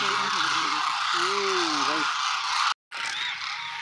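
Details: A group of greater white-fronted geese in Gujarat, India, with Demoiselle Cranes nearby, calls in short nasal honks that rise and fall over a steady rushing hiss.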